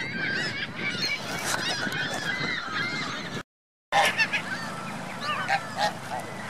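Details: Geese and goslings at Virginia Lake in Reno honk continuously in a noisy overlapping chorus; sound cuts out briefly midway, then resumes with louder separate honks.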